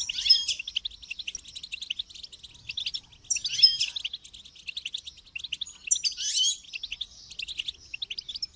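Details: Goldfinch song: three bursts of rapid, high twittering and tinkling notes, roughly three seconds apart, with quieter scattered chirps between them and an otherwise quiet background.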